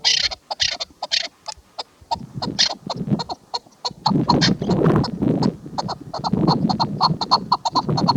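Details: Female chukar partridge calling: a rapid series of short, harsh, clucking notes, loose at first and then denser and louder after four seconds, with low throaty undertones between them.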